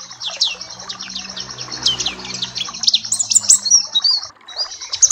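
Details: Papua black-capped white-eye song used to tutor other birds: rapid, high, thin chirps and twittering notes run in a dense, continuous stream, with a faint low hum underneath.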